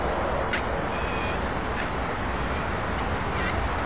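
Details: A common kingfisher at a breeding wall on 19 August 2011 gives shrill, very high thin whistles, some sharp and short, some drawn out, about every half second, over a quiet hiss.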